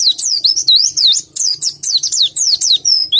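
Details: White-eye not fully in breeding condition sings loud, fast, wavering high whistles, notes swooping down and back up in close succession, with faint low knocks underneath.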